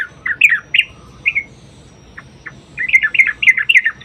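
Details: Yellow-vented bulbul 'ropel' song played to draw replies from other bulbuls. Fluty, warbling notes come first, then a few isolated chirps, then a quick run of gurgling phrases.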